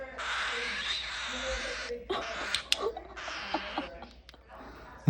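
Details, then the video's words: A young pet parrot wanting treats gives long, raspy, hissing, dinosaur-like screeches in three main bursts, then shorter ones, while a woman speaks over them. "HE MAKES A FUNNY SOUND"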